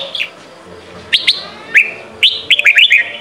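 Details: Red-whiskered bulbul in Sông Kôn training song for young birds: a few spaced, sharp whistled notes, then a fast tumbling phrase of rising and falling whistles.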